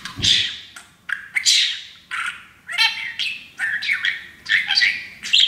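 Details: Young pet parakeet chattering taught English phrases while happy on a new playground; rapid run of raspy, buzzy syllables and squeaks in quick bursts, with a soft thump at the start.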